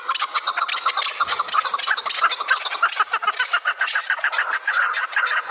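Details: Chukar partridges in Kabodiyon: dense, rapid chattering of clucking notes, many per second, steady and overlapping throughout.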